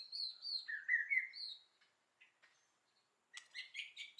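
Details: White-rumped shama singing in the forest-voice style: faint clear whistled phrases sliding between high and lower pitches, a pause, then a burst of brighter rising notes.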